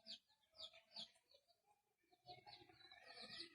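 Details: Pet Indian ringneck parakeet that has started talking, giving short harsh squawky syllables that slide downward, in two bursts separated by a brief quiet gap, indoors with faint background noise.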